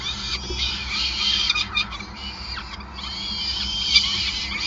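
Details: Peregrine falcon nest in Groningen, 5 May 2020, feeding time: a rapid jumble of high, reedy squealing notes, some slurred downward, running almost without break over a faint low hum.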